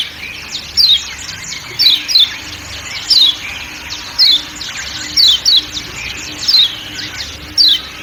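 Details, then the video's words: Forest-backed 'ciak ciak' calling of a Lombok kecial kuning: bright, downward-slurred chirps, frequently in twos, spaced near one per second over a faint continuous hum. "Kecial Kuning Ciak Ciak Dan Suara Hutan"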